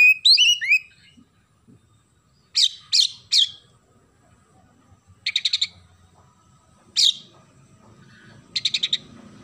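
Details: Oriental magpie-robin with sparrow-like filling. A short whistled flourish opens, followed by harsh chirp triplets and rapid stuttering tick rattles repeated every couple of seconds. Faint background rumble.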